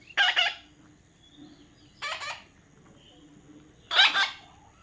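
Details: Baby parrot making three loud, grating squawks, each about half a second long and spaced roughly two seconds apart, against a quiet hum.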